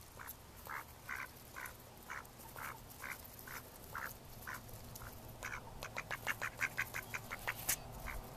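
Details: Mallard ducks recorded in May 2014: a steady run of short, nasal quacks about twice a second, then denser, quicker quacking near the end over a low, constant hum.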